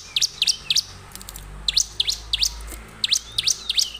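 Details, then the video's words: Bar-winged prinia song used as a lure to provoke other prinias into singing: sharp, high chirped notes, mostly in quick pairs, repeated in short bursts every half second or so, with pauses between groups and faint low background hum. "pancingan ciblek terbaik untuk memancing ciblek gacor"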